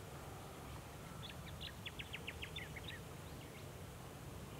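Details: A Jacky winter in Scheyville National Park, NSW, in August 2017, sallying from exposed perches to catch insects near its partner, gives a quick run of about ten sharp, high whistled notes over roughly two seconds against a steady low rumble.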